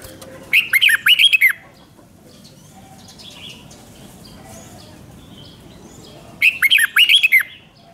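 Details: Red-whiskered bulbul from Thailand, a cage bird, singing a doubled five-syllable 'beun' style phrase used to teach young birds. Two bursts of about six quick, liquid, swooping whistles, roughly six seconds apart, with faint softer chirps between them.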